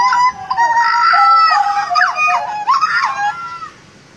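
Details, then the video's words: Butcherbird from Jayapura in full voice: long, clear, flute-like whistles at steady pitch, broken by swooping downward and upward slurs, ending in silence. "JAGAL BLOROK GACOR JAYAPURA"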